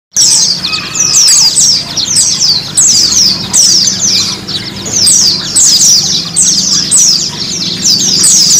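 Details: White-eye (pleci) used as therapy sound to get a kept bird singing and opening its beak; high, fast twittering phrases in dense bursts about every second, continuous and loud, faint low hum beneath.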